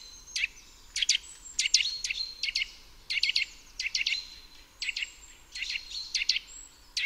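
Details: Eurasian nuthatch (Sitta europaea) song of sharp, high, emphatic notes in quick pairs and triplets, repeated about every half second, with faint thin whistles from another bird behind.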